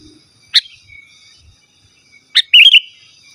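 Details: Sooty-headed bulbul singing, without mimicked fillers, for calling rival wild birds and tutoring caged birds: a lone sharp chip, then a pause, then another chip followed by a brief, bright bubbling warble.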